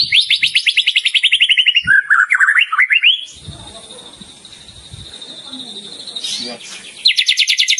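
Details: White-rumped shama in vigorous song: a rapid descending trill and lower chatter, then several seconds of faint background noise before another fast high trill begins.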